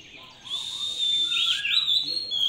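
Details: Captive Oriental magpie-robin, reared by hand, holds a long level whistle before breaking into a twisting, rich warble of rising and falling notes.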